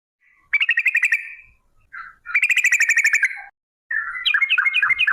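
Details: Straw-headed bulbul singing a long 'ropel' phrase used as a lure to get bulbuls singing: three rich gurgling, whistled bursts of rapid pulsed notes, each about a second long, separated by brief silences.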